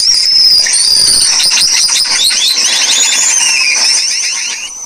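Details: Australian pipit, a pest bird noted for its melodious singing, pouring out a fast, jumbled stream of high squeaky notes and rattling trills that fades slightly at the end.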